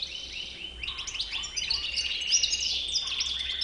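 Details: Goldfinch with a white chin singing a fast, bright jumble of high twitters laid over a sustained buzzy, ringing note, with rapid chirps throughout.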